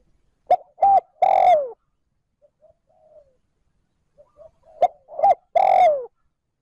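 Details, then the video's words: Spotted dove used to lure wild doves, calling 'trơn ròng' style: two clear three-part coo phrases, short, short, then a drawn-out descending croon, separated by faint quiet cooing. "Tiếng cu gáy trơn ròng thúc gù gáy kích bổi nhanh nổi / Cu gáy gọi trơn ròng"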